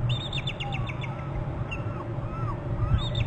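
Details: Both adult bald eagles trilling at their nest on Hornby Island, picked up by a nest and territory camera as one adult leaves to the right: quick bursts of high chittering notes at the start and end, soft squeals between, constant low rumble.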